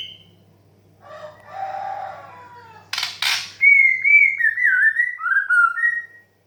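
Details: White-rumped shama 'desahan menggoda' song, played as therapy so young or stressed birds start singing. A low raspy grumble and two loud clicks come before a long sequence of ringing, slurred whistles that step downward.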